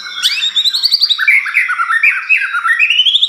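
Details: White-rumped shama song used as a lure to provoke other birds: rapid, varied whistled and chattering phrases sliding between high and mid pitch, notes tumbling quickly with little pause.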